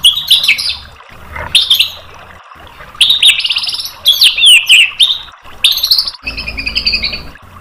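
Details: White-rumped shama tutor song for provoking a reply: loud bursts of rich, jumbled whistles and chatters, separated by brief pauses, ending in a thin, steadier high trill.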